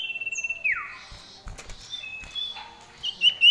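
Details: Common iora singing varied song full of fill-in phrases: a sustained high whistle slurring downward, brief faint notes, then a flat whistle and bright rising whistled notes at the end.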